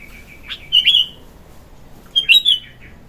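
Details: A morning bulbul song used for filler training and luring: two separate loud, liquid, twisting whistled phrases, each with a few slurred notes, set against near silence.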